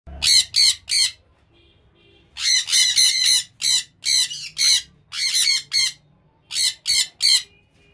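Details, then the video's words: Lovebird giving loud harsh squawks in short bursts, often two or three in quick succession with brief pauses between groups, each screech rough and broadband; faint soft chirps in the gaps. "Love bird"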